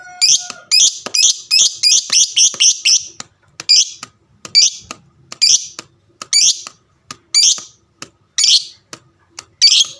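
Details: Fighter lovebird kept as a cage bird, giving a fast run of harsh chattering notes that slows into evenly spaced squawky chirps about once a second, a long call meant to provoke other lovebirds to reply.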